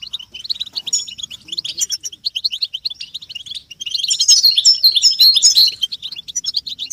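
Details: European goldfinches, caged, in a group chorus played to stimulate males to sing and break their silence; dense high twittering notes and trills, many overlapping, with a louder liquid burst in the second half.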